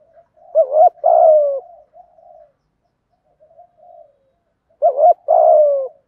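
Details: Spotted dove cooing in the thúc gù, giọng thổ manner to stimulate wild birds. Two phrases about 4 seconds apart each open with a quick warbled double note and end in a drawn-out descending coo, with faint soft notes between.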